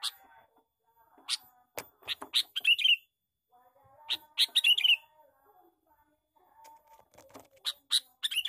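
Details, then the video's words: Lure call of a male sooty-headed bulbul, rendered as a lively 'cor cor cor': loud, harsh, scratchy chattering phrases of several quick notes, repeated in bursts about every two to three seconds, with faint steady tones in the background. "suara pikat burung kutilang jantan gecor cor cor"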